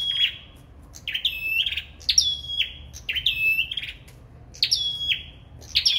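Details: Sâu đầu đỏ singing in a contest, about six fast phrases close together. Each opens with a sharp high burst and settles into a clear, flat, ringing whistle. The background is quiet.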